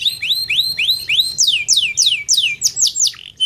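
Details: Canary singing for use as a master tutor recording: a series of upswept whistled notes repeated about twice a second, then sharper descending slurred notes, clear and dominant with little background.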